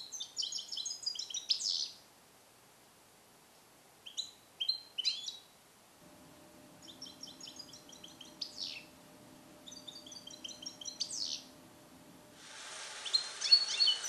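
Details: Song-trained male European goldfinch, born in captivity in 2021 and taught Neapolitan passages, caged for recording; four bouts of fast, high, stacked twittering each ending in a falling slur, then a burst of noisy hiss at the end.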